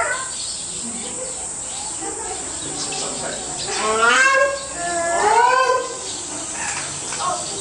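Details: A grey crowned crane at Higashiyama Zoo gives two nasal, honking calls that rise and fall, over a steady high hiss.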